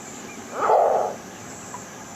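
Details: Green heron played as a shorebird and waterbird quiz recording, a sound one listener likened to a dog: a single harsh, hoarse squawk of about half a second, rising sharply and fading, over faint steady background hiss.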